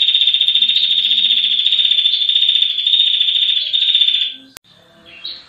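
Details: A female red-headed prinia gives a long, dense, high buzzy trill, rapid and even for about four seconds before stopping abruptly; a brief faint chirp follows.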